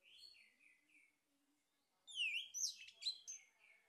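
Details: Male orange-headed thrush lure song: gentle falling whistles, a brief lull, then an energetic run of sharp, sweeping and chattering notes delivered rapidly.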